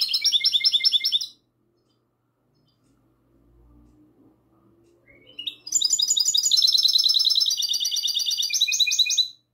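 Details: Goldfinch hybrid singing a classical-style song, recorded on the night of 22 March 2020. A fast burst of bright, high trilled notes stops abruptly, followed by several seconds of near silence and faint low rumbling, then a long, dense, rapidly repeated twittering phrase.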